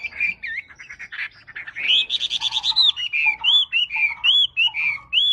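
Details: Lively song from a wambi, opening with jumbled chirps, then a quick series of short buzzy notes that gives way to clear, looping whistled phrases, each repeated about once a second.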